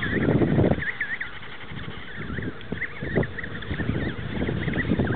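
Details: Many emperor penguins at a rookery at Cape Colbeck, Antarctica, 2008, calling together: a chorus of overlapping warbled, wavering calls repeated several times a second, over a heavy low rumble of wind.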